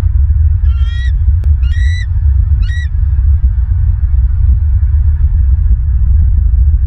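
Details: Bald eagles at their nest in Southwest Florida on 16 December 2022, picked up by a live nest camera: three short, squealing, slightly rising notes in quick succession over a steady low rumble of wind.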